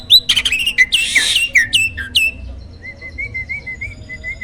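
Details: Contest-champion starling song serving as a training master for other songbirds: loud squeaky, buzzy phrases tumble quickly at first, then give way to a string of soft, evenly spaced whistled notes.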